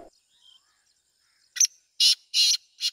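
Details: Black francolin calling: after a quiet start with faint notes, four loud, harsh, grating bursts come in a clipped rhythm over about one and a half seconds.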